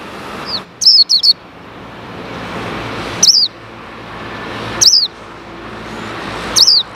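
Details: A caged male white-eye was kept apart from the female and uncovered, and wild white-eyes gathered nearby. High, thin, falling chirps come in a quick triple burst, then single or doubled notes about every one and a half seconds over a low background hum.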